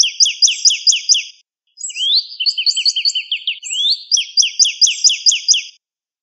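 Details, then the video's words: Northern cardinal singing in a training recording for cage birds: quick series of clear downslurred whistles, then a tangle of rising slurs and chips, followed by another fast run of repeated descending notes. "Suara Masteran Burung Cardinal"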